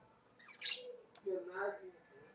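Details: Budgerigars singing: a sharp, high squeaky chirp, then a run of lower nasal, warbling chatter notes that rise and fall, heard softly against a quiet indoor background.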